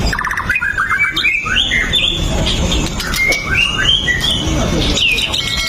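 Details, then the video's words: Non-stop song of a White-rumped shama, played to provoke other shamas into singing. Rapid, varied whistles and warbled sweeps, with brief sharp notes, continue without pause over steady low-pitched hum and noise. "PANCINGAN MURAI BATU LANGSUNG BUNYI 100% GACOR TANPA HENTI"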